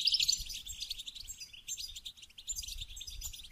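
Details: Goldfinch singing to stimulate mating: a rapid, continuous high twittering of chirps and trills that runs without pause, fairly quiet throughout, over a faint low rumble.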